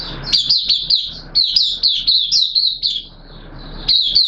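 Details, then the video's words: Oriental white-eye singing openly in wet weather on 6 September 2022: a lively string of high slurred chirps that rise and fall, then a short silence before more notes. "Mata Puteh T Rex Buka Sing"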